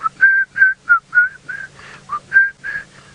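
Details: An African grey hornbill calls from the top of a tree at sunrise in June 2017, Djuma, Sabi Sand, South Africa, before flying off: plaintive piping whistles, about three per second, some slurring down, over a low engine hum.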